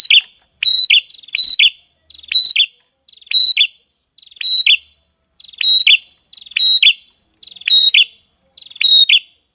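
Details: Masteran song of a small bird, tembakan style. Crisp paired high phrases, each a clear tone then a descending slur, repeat steadily nearly every second over a silent background.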